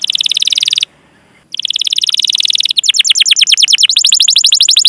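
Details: Canary chirping song meant to coax other canaries into singing: a rapid buzzy trill, a brief pause, then a faster run of sharp repeated downward-sweeping notes.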